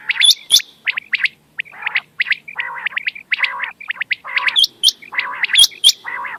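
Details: Quail calling, used to draw birds in for hunting at night: rapid chirps and rough, wavering buzzy notes tumble over each other, with high squeals scattered throughout.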